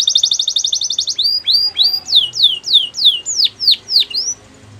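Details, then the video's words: Singing canary: a quick high trill followed by a slower series of loud downward-swooping whistled notes, about three per second, fading to quiet background at the end. "Canary Singing Most Beautiful Song Bird"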